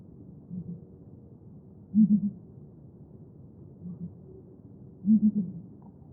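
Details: Southern ground hornbill, known as Bromvoël and regarded by the Xhosa as the sacred rain bird, gives deep booming calls: loud groups of three hollow booms at two and five seconds, each preceded by softer, lower paired booms.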